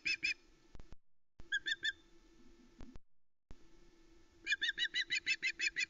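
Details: A female osprey on the Loch Arkaig nest, 1 September 2020, calling during a live flatfish delivery, gives short groups of high, shrill squeals, then a fast, even run of piping notes, over a low background hum.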